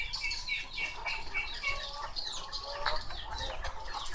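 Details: Laying hens in their coop: a dense chorus of overlapping clucks and short tonal, slightly wavering notes, many birds calling at once with steady low rumbling background noise.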